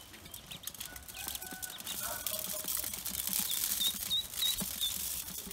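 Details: Newly hatched Pekin ducklings on a farm: a short run of thin, high peeps near the end, each a brief tonal chirp, over rustling and handling noise.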